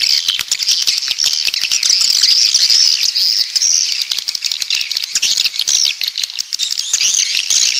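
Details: Walet pantai swiftlets from the south give steady high-pitched twittering with thin whistled squeaks and a running background of fast clicks.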